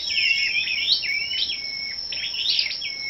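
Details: Scarlet-backed flowerpecker singing competitively at a morning gathering on 10 May: dense, overlapping high twittering and drawn-out thin whistles, over a constant high whine.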